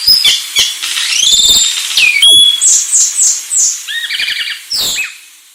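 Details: Anis Sulawesi song of varied whistles, rising slurs and rapid trilled note series, with sharp high chips throughout.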